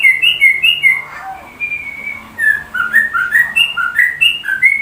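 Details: Sooty-headed bulbul singing in a style that imitates the white-rumped shama: loud clear whistled notes, some rising and some falling, strung into a fast phrase, a short pause, then another quick run of paired whistles.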